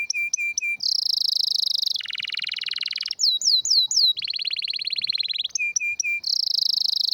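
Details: Canary with a rare, strong song, alternating short clipped repeated notes, loud rolling buzzy trills at several pitches and a few downward-curving whistled slurs.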